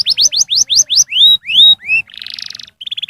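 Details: Canary song used to prompt young canaries into singing: quick rising whistled notes, then slower drawn-out upslurred whistles, a harsh buzzy rattle and a short fast trill of clipped notes, no other sounds.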